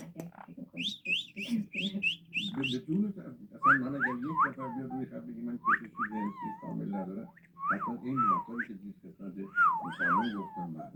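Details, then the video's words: Yellow-headed amazon parrot talking and whistling: rapid high whistled notes early, then a series of rising and falling wavering whistles and speech-like phrases at irregular intervals, with faint background noise. "amazon parrot dabel yellow headed talking"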